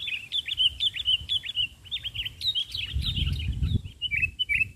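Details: Sooty-headed bulbul, described as highly vocal, singing during a bird-trapping session in Indonesia: bright, bubbly chirped phrases repeated about twice a second, with a brief low rumble partway through.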